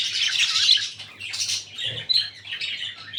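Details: Red-eyed lutino and albino budgerigar breeding pair in captivity giving a busy stream of rasping, high-pitched chirps and warbling twitters, loudest at the start, with short pauses between phrases.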